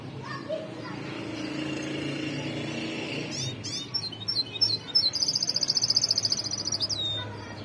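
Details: Goldfinch with white cheeks sings high sharp twittering notes, then a long rapid trill of evenly spaced pulses lasting about two seconds, ending in a thin downslurred whistle, over continuous low background noise.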